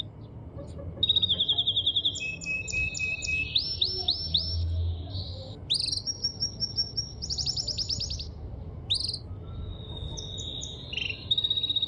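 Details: A male canary sings in full voice: varied high trills, rapid rolling tours and buzzy glides follow one another without pause, over a steady low background hum.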